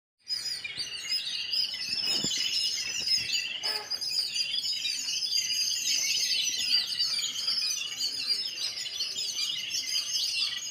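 A dense, busy chorus of high chirps from many sparrows, overlapping and unbroken from start to finish, with no other clear sounds.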